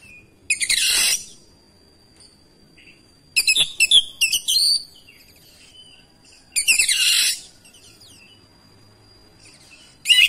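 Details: Oriental magpie-robin singing insistently in answer to another magpie-robin, unloading its song repertoire. Harsh, dense chattering bursts alternate with clear ringing whistles every few seconds, with a thin sustained tone lingering behind.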